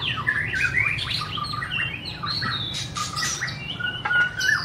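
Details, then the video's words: Varied song of a white-rumped shama: fluty whistles, swooping slurred notes and crisp clicks tumble out quickly, with some flat sustained tones near the end, over faint low background noise. "BIRD SINGING| Bird White-rumped shama - Beautiful Birds,Dancing And Singing Chirping Sounds Great"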